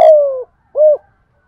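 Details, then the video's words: Spotted dove singing in the thổ voice style, calling to lure wild doves: two low hoarse coos, the first long and gently falling, the second shorter and arched, then silence. "Tiếng hót chim cu gáy giọng thổ gáy gọi bổi"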